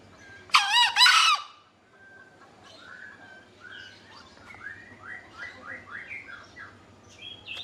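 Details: Green junglefowl calling actively: one loud, harsh, hoarse two-part crow under a second long, followed by softer chirping and whistled notes from other birds and a low hum.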